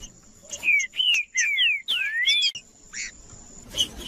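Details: Trinca-ferro, the green-winged saltator, singing as stimulating audio for caged birds: loud slurred whistled phrases, some rising and others falling, in quick succession, then a pause with a steady high whine and a few softer notes.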